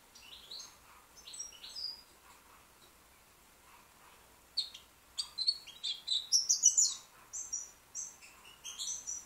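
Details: Young white British goldfinch singing, soft scattered twitters at first, then a fast, loud series of high tinkling and buzzy notes and liquid trills.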